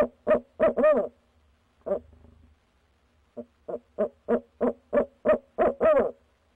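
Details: Night hooting by a barred owl at a nest box, 6 February 2019, with a female and a male calling at different hours. Two drawn-out, wavering hoots, a pause, then a steady series of about nine evenly spaced hoots.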